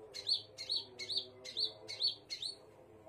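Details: Scarlet minivet giving six crisp high notes with a buzzy start, evenly spaced at about two per second, with a faint low hum behind.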